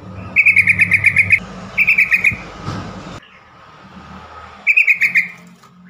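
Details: Yellow-vented bulbul call used to get stressed or silent birds singing again: three bursts of rapid, sharp chattering notes, the first longest with about eight notes, over a low background hum.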